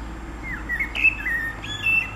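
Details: Spring blackbird song from 29 April 2019: a short run of smooth, fluted whistled notes, slightly slurred downward, closing with a higher thin note.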